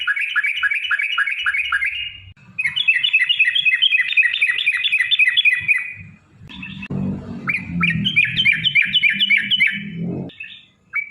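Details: Long 'ropel' song of a sooty-headed bulbul, played to provoke other bulbuls into answering: fast, evenly repeated downslurred chirps in long runs broken by short pauses, with a burst of low noise midway.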